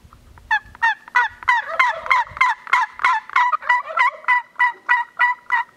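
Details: Gould's wild turkeys on Mt. Lemmon, southeastern Arizona Sky Islands, during annual surveys: a long, steady run of loud, harsh yelps repeated about three times a second, each note cracking and dropping in pitch.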